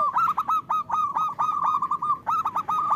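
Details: Loud local zebra dove song, played as a lure to make reluctant doves sing: rapid staccato cooing notes, each with a quick upward flick, run in a steady stream with brief breaks and no other sounds.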